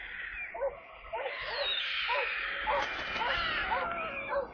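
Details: Nestling storks in Kaluga Oblast, Russia, 28 July, during a water delivery to the nest: soft arched mewing notes repeat about twice a second under a loud, steady hissing background.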